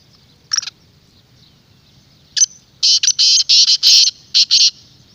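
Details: Black francolin calling to make a kept francolin sing or attract wild ones: two scattered single notes, then a fast, loud series of about eight harsh, scratchy bursts.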